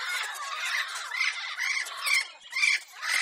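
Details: Shrill lorikeet squawks, about two per second, over a constant backdrop of high-pitched parrot chatter, a sound chosen to entertain a pet lorikeet.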